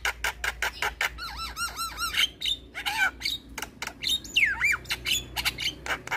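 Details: Black-winged starling song aimed at getting stressed, silent starlings to respond: sharp clicks, then a run of bouncing looped whistles, a harsh downslurred squawk and more rapid clicking.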